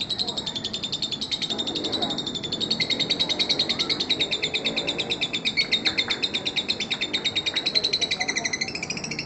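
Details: Lovebird, fighter type, in a long ngekek laughing call meant to lure baby lovebirds: rapid buzzy high chatter over a broad background hiss and some low noise.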